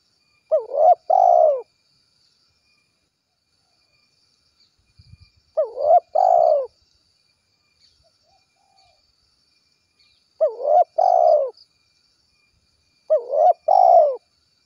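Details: Spotted dove calling its companions in the 'kuk 1' gacor style: four identical low, burry coo phrases, each a quick stutter then a descending drawn coo, repeating roughly every four seconds with silence between and a faint tap around five seconds.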